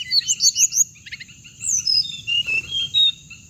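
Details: Hồng hạnh bird sound used to lure birds into traps: a run of five rapid rising chirps, then a brief trill and long thin whistles gliding slowly downward.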